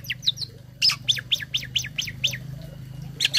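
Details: Tame caged starling singing a filled-in song, offered as a tutor for other birds: a run of sharp, descending whistled notes, several given in quick succession after a pause, over a steady low electrical hum.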